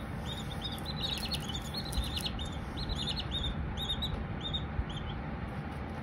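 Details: Silkie chicks give a run of high, slightly buzzy peeps, some doubled, over a steady low hum of background noise.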